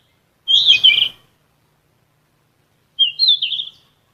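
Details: Flycatcher of the genus Ficedula (sikatan emas), singing as a vocal-therapy track for songbirds: one sharp twittering phrase, then after two seconds a sweet, wavering warbled phrase.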